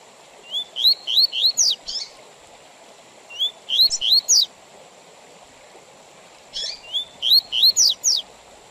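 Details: Double-collared seedeater singing tui tui zel zel with spacing meant for tutoring young males and tournaments: three repeated phrases of rising, bright whistled notes, separated by silent gaps of about one and a half seconds.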